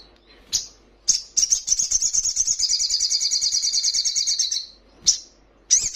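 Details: Crimson sunbird (sogon) on a training recording for kept birds to answer: a sharp chip, then a long, fast, high trill pulsing steadily for nearly four seconds, followed by two more sharp slurred calls.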